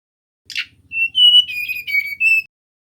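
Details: Male mangrove whistler song, played as a lure for other birds: a short buzzy burst, then a chain of clear, steady whistled notes that dip slightly lower and rise again at the end. A faint low hum sits underneath.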